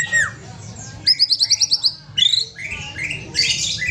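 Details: White-rumped shama with a companion bird, singing a fast trilled run of about eight repeated clipped notes, followed by whistled slurs and a rougher, scratchy phrase.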